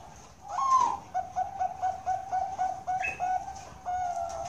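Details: Bangkok-strain zebra dove at a breeding farm in Cilacap, Central Java, with a loud rising whistled opener followed by a rhythmic sequence of short, mellow coos, each repeated roughly every quarter second.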